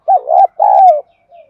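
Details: Lure spotted dove calling wild doves with 'đồng gù đấu thúc' coos. One phrase: a wavering short coo running into a longer, slightly falling note, then a faint trailing murmur.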